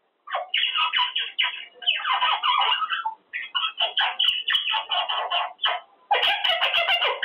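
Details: Male Quaker parrot kept as a pet, talking and practicing his words while in his cage; dense, speech-like raspy phrases run in bursts, with brief pauses and a few sharp clicks.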